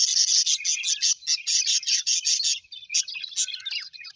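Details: Pet budgies, colourful Australian parrots described as happy: a run of fast, evenly spaced scratchy chirps, about two or three a second, then looser squeaky warbling to the end.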